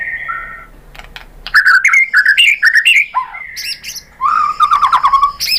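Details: White-rumped shama (murai batu), a kept songbird, used as a lure; a soft note pair, then a rapid string of rich rising and falling whistles and a chattering trill.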